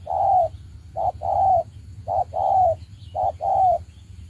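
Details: Trapping decoy spotted dove coos loudly in three paired phrases, each a short note followed by a longer, slightly downslurred one, evenly spaced about a second apart.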